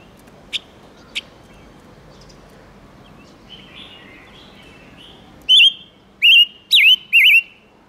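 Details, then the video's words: Silver-eared mesia used as a lure to call in wild birds and provoke males: two sharp ticks and soft twitters, then a burst of four loud whistled notes, wavering and dipping. "Tiếng chim ngũ sắc hót kích trống căng lửa"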